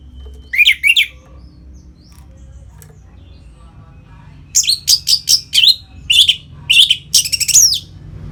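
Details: Ngeplong-style song of an Orange-headed thrush, used to bring captive birds into breeding condition: a short pair of high slurred notes, a pause, then a rapid run of loud, clear, descending whistled notes.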